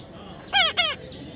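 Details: Baby parrot, kept and being tamed, gives two short harsh descending squawks with rich harmonics, back to back, amid human speech.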